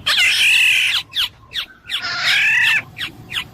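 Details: Black-naped oriole giving two long, loud nasal rasping calls, each followed by a few short sharp notes.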